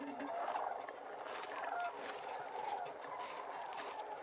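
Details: Sandhill cranes flying in formation give rolling, rattling bugle calls, several birds calling over one another in a steady, overlapping chorus with a faint airy hiss behind.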